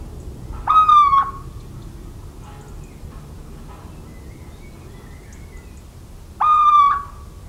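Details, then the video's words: Two drawn-out, mellow hoots from a little owl, recorded 17 March 2019 in farmland of central France, each note starting sharply then sliding gently down, separated by roughly five and a half seconds of quiet countryside hum. "CHEVÊCHE d'Athéna/Chouette chevêche/Chant et Cris !"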